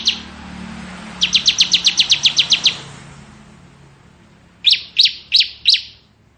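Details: Bar-winged prinia (ciblek kristal) singing in the rapid ngebren style: one fast burst of about eleven sharp, high chipping notes, a pause, then four slower, louder chips spaced evenly apart.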